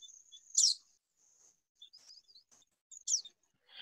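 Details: Blyth's pipit (Anthus godlewskii) call, similar to Richard's pipit but less harsh and more nasal: a short buzzy slightly rasping note twice, about 2.5 s apart, faint whistle and chirps behind.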